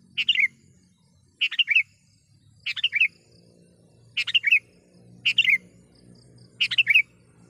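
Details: Sooty-headed bulbul luring wild birds and calling a rival: six evenly spaced, chirpy warbled phrases of three or four quick notes, about every 1.3 seconds, over a steady low hum.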